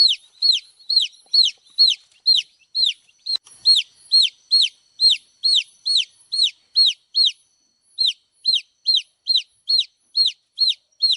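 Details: Steady chirping of baby chicks, with clear, high peeps that each slide downward and repeat about twice a second almost without a break, over a quiet background.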